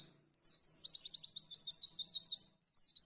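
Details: White-eye (pleci) tutoring song in the fast 'tembakan' style: after a quiet start, a whistled slur leads into a long, even run of high staccato chips, over a soft low hum.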